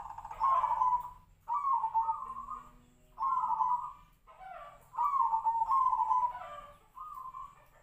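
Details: Tejoanom zebra dove (perkutut), prized for a unique voice resembling the sirpo bird, delivering steady trilled coo phrases at a level pitch, each roughly a second long, repeated with short pauses and a faint low hum behind.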